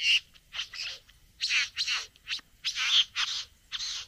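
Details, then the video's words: A satin bowerbird courts a female at the bower with loud, harsh, hissing and rasping bursts, each under half a second, separated by short pauses in an irregular series. "Bowerbird. ( Courting female at the bower)."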